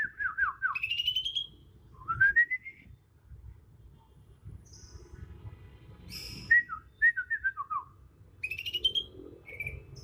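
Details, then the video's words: Young Bornean green magpie, still moulting from juvenile to adult with black spots appearing on head and neck, singing its natural wild song without learned imitations in Kalimantan; loud whistled phrases, rising slurs and falling looped notes in bursts, with pauses between. "Suara asli alam cucak ijo kalimantan"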